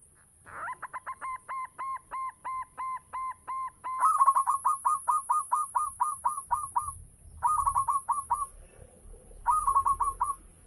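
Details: Local zebra dove singing actively as a lure for other doves: a steady run of short even coos, then faster clipped rolling notes in bursts with brief pauses between phrases.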